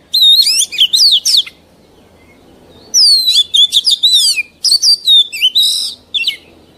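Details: Mature wild Oriental magpie-robin, a song recording for teaching young birds to sing: a first run of bright looping whistles, a pause of about a second and a half, then a longer varied string of ringing slurred notes.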